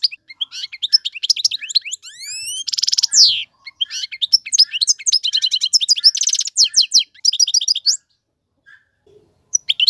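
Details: European goldfinch male, song for teaching chicks: a sustained medley of twitters, rising slurred whistles, grating buzzes and rapid rattling trills, ending in a brief quiet spell with a few final notes.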